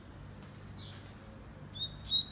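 A brief snatch of double-collared seedeater song: a high, fast downward-sweeping whistle, then thin, steady, bright notes. A faint low hum runs underneath.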